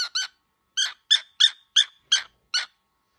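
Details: Very angry young cockatiel chick calling indoors: eight separate grating, buzzy squawks, two quick ones then spaced notes roughly every third of a second, each short and rich in harmonics.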